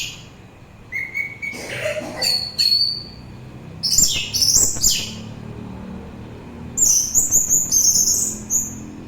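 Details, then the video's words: Orange-headed thrush song, recorded for relaxation and as a lure for thrushes and other birds: varied whistled phrases, some rising, some trilled, ending in a sustained warbling high passage, with a low hum behind. "Begitu Syahdu Suara Anis Merah"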